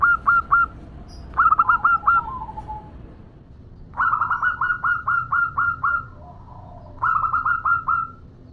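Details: Local zebra dove, a female calling a male. Bursts of short, staccato cooing notes, each burst a rapid run of five to nine evenly spaced hollow coos. The bursts are separated by short pauses and there is low background hum.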